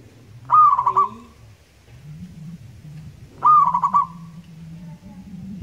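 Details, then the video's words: Local zebra dove from Indonesia in loud, long song: two short cooing phrases about three seconds apart, each opening with a rising note and breaking into quick pulsed beats, over a steady low hum. "perkutut gacor lokal alam suara nyaring panjang"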